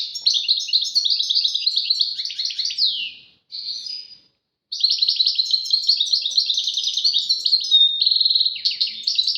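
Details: European goldfinch singing phrases in the tawawati and tbatbati styles, with a duet stated: dense, fast twittering and buzzy trills, broken by a short pause near three and a half seconds, then an unbroken run of rapid chattering notes.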